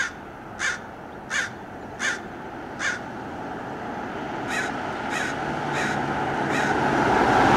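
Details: American crows dive-bombing a red-tailed hawk in Del Monte Forest, California: a run of short harsh caws, about one every 0.7 seconds, fading as a rumbling, vehicle-like noise swells.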